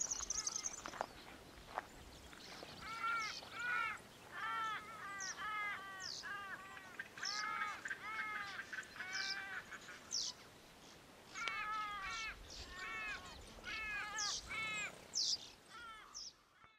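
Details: Wild zebra finches in Australia give a busy run of nasal, toy-trumpet beeps, several birds calling over one another.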